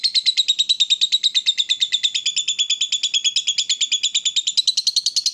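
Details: Lovebird in long ngekek chatter, worked up and provoked to call: an unbroken, rapid, even train of shrill squeaky notes, about three per second, running all five seconds without pause.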